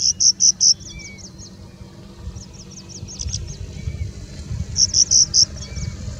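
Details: Singing bush lark in India in a long bout of song with mimicry of Indian Robin, Pied Bushchat, Plain Prinia, Common Woodshrike and others; loud rapid runs of four bright high notes at start and end, softer quick ticking notes between, faint low hum.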